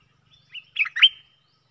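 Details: A stripe-throated bulbul gives a brief phrase of three bubbly, liquid notes rising in emphasis, the last loudest, over quiet background; used as a lure call for trapping aggressive wild birds.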